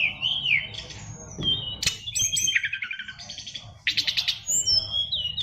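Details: Caged fighter-type oriental magpie-robin sings slurred whistles, then rapid pulsed trills and scratchy bursts. Phrases change every second or so over faint background noise.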